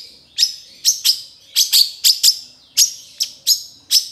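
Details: Long-tailed shrike training song of loud, sharp, high chips given singly or in pairs, roughly eighty a minute, each dropping quickly, in a quiet setting.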